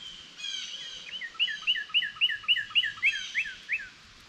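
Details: Northern cardinals outdoors beside a squirrel eating seeds, waiting for fallen seed; a steady series of about ten clear, down-slurred whistled notes, with a thinner trill from another bird in the background.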